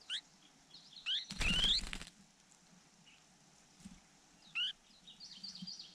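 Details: A nestling bird begs for food with short, thin, rising chirps at irregular intervals as a hawk attacks the nest, with a loud rushing flap-and-thump burst partway through.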